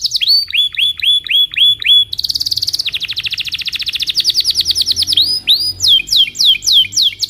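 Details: Morning song of a Belgian canary used as a training lure for young birds: repeated downslurred whistles, then a dense buzzy roll, a long rapid trill, and clipped sweeping notes at the end.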